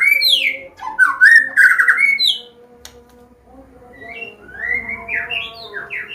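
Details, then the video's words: White-rumped shama from Medan with a combination song, used to tutor young birds still learning: loud rapid run of varied whistles and sweeping notes, then softer rising whistled phrases repeated about three per second, low hum throughout. "SUARA KOMBINASI MURAI BATU"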